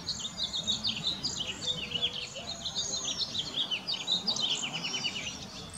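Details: Cedar waxwings, about 35 of them, perch and sing in a very bare tree where berries are scarce. A dense, continuous chatter of high, thin, trilled and lisping notes overlaps from many birds over soft background noise.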